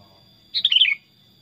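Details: Pet Sooty-headed bulbul, tame and talkative, sings one short liquid phrase of several notes stepping down in pitch, against a continuous high thin whine.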